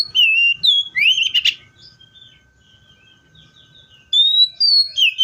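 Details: Song of a Seychelles magpie-robin: a few rich, slurred whistles and a brief rough note, a long quiet gap, then more loud whistled phrases in a quick series.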